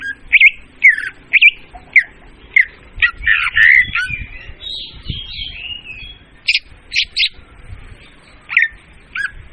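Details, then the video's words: Loud, clear leafbird lure for bird trapping: spaced, bright chirped notes around a second apart, a brief tangled warbling phrase in the middle, then sharp high clipped notes. "suara pemikat burung murai daun||suara jernih dan volume keras."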